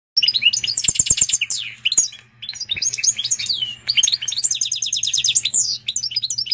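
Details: A hybrid of a female canary and a Portuguese goldfinch sings a long, high, twittering song of quick trills, rapid repeated notes and sweeping whistles, singing a lot. A faint low hum runs underneath.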